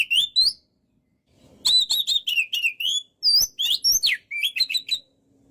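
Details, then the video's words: Kacer, the Oriental magpie-robin, in energetic gacor song: a few upslurred whistles, a pause, then a fast string of clear whistled notes and sweeping slurs at high pitch. "MASTERAN BURUNG KACER GACOR SEKALI"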